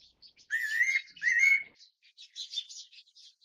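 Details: Fairy pitta calling: two slurred whistled notes, each rising slightly, given back to back. Softer high chirps from other small birds follow in the background.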